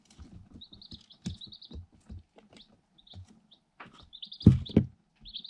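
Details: Eight Light Sussex chicks, one day old and incubator-hatched, are inside a cardboard box and recorded on a GoPro Hero 7 Black. High, slightly descending peeps repeat often, sometimes in quick pairs. Steady pecking taps run underneath, with a loud knock near the end.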